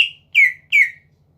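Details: Three loud, clear whistled notes from a greater green leafbird, each sliding downward, about a third of a second apart, sung as a challenge to draw rivals into singing; a faint steady low hum sits beneath.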